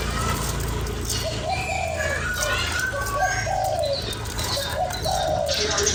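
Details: Spotted dove calling to stimulate a lure bird: a series of low, mellow coos in short and longer notes, partly masked by a busy chorus of higher bird chirps and hiss.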